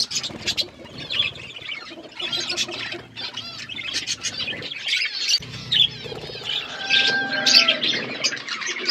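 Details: Wild parrots in a noisy gathering: bursts of harsh, high squawks and chirps overlapping throughout, with a low steady drone entering halfway through and a brief clear whistled tone near the end.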